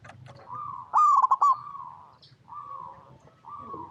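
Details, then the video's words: Singing local zebra dove, recorded as a lure for other zebra doves; a sharp, rattling burst of clipped notes leads into a long, smooth coo, then two further level coos after a short pause. "Perkutut Lokal Gacor RAJA PIKAT Paling AMPUH | SUARA Bikin Semua Burung Perkutut Langsung Nyaut"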